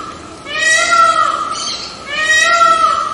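A white peacock gives two loud, nasal, wailing cries almost two seconds apart, each a drawn-out meow-like note that slides slightly downward at the end.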